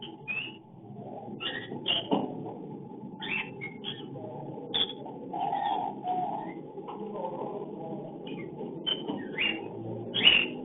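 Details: Cockatiel mating call during breeding, hidden camera recording: rapid series of short harsh chirps and a few whistled notes, repeated over ten seconds against a steady room hum.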